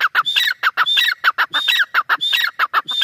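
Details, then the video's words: A grey francolin, locally teetar, delivers rapid, harsh, ringing call phrases with bright whistled peaks and falling slurs, repeated about three times per second in short bursts. "Teetar ki awaaz | teetar awaz | teetar sound | dakhni teetar awaz | teetar ki boli"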